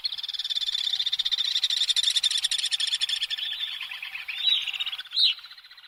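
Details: Common swift giving a long, continuous, buzzy trilled scream for about four seconds, fading and ending with a short sharp upward note.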